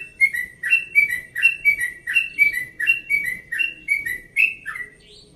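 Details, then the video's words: Early-morning yellow-vented bulbul, 1.5 years old, from Bekasi, in a relaxed 'ropel' song: a fast, unbroken chain of whistled two-part notes, about three per second, clear against near silence. "Trucukan Ropel Pagi Subuh Nada Santai"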